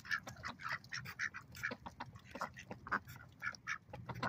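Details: Ducks at a lake calling loudly: dense, overlapping nasal quacks, roughly two per second, several birds together, with low rumbling background noise.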